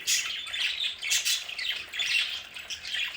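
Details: Several pet budgerigars in their home play area chatter continuously: raspy squawks and short warbling chirps overlapping in uneven bursts about once a second.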